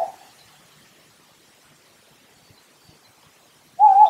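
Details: A tawny owl from a family of tawny owls gives two short, steady, mid-pitched notes, one at the start and one at the end, separated by more than three seconds of near silence.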